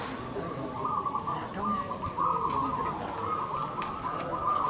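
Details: Zebra doves at a local-class song competition give soft, bubbling, rapidly stuttered coos without pause, several birds overlapping in a duel over a low background murmur.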